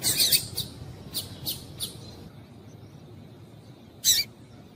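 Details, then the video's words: A female Double-collared Seedeater (coleiro) gives short, sharp, high chips, a quick cluster of five and then one more after a pause, over a faint low hum; the call is used to stimulate males to sing. "Piado de Fêmea de Coleiro Para Esquentar Coleiro"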